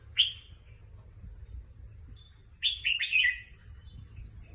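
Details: Red-whiskered bulbul kept as a competition singing bird: a brief bright whistled note, a pause, then a quick run of three or four warbling, slurred phrases near the end, over a low steady hum.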